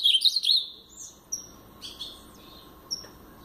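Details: Short Paraná-style phrase from a brown-plumaged blue-black grosbeak: a quick tumbling run of high whistles, then a few faint, isolated thin notes separated by silence.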